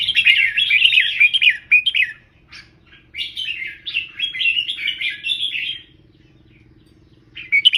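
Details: Red-whiskered bulbul giving 'double three, professional' style teaching song: a bright gurgling phrase, a brief pause with scattered chips, then a longer chattering warble and silence before a new start.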